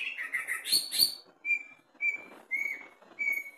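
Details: Greater green leafbird, caged and tested low at the cage bottom, gives a few fluttery chirps, then clear, level whistled notes repeated roughly every half second.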